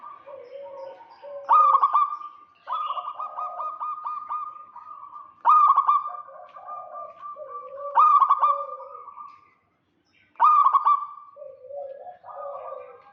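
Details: Local zebra dove calling actively to lure a rival, repeating a rolling, bubbly coo phrase roughly every two to three seconds, each with a sharp start and a drawn-out level tone, plus softer lower coos between.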